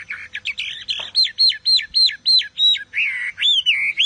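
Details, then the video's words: Chinese Hwamei singing a loud, clear whistled song: a rapid run of repeated arched, down-slurred notes, about three per second, ending in smoother rising and falling whistles. "Họa Mi Hót Cực Căng"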